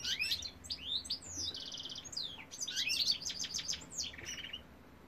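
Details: Male goldfinch song, European species, full of high tinkling notes, rapid chattering runs and nasal buzzy trills, loud and close with little background noise.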